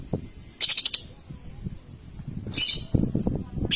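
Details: Paud lovebird, used to lure others into long ngekek and ngetik song: rapid harsh chirp bursts over low rustling and knocking sounds.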